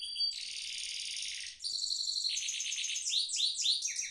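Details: Continuous rolling performance by a caged goldfinch mule: a sustained buzzy trill, then changing runs of quick repeated notes ending in looping upswept whistles, all high and loud.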